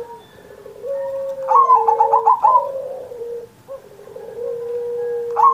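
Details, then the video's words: Zebra dove song recorded as a master for training caged doves: one burst of fast rolling coos in the middle, with steady whistled tones from other birds before and after. "Perkutut Masteran Manggung Gacor Mancing Burung Lain"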